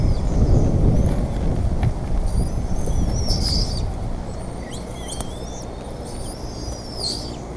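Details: Bald eagles at the Decorah nest on 28 May 2014 as a fish is brought in: thin, high chittering whistles, some rising and falling, in scattered bursts mainly after the third second, over a steady low rumble of wind and microphone noise.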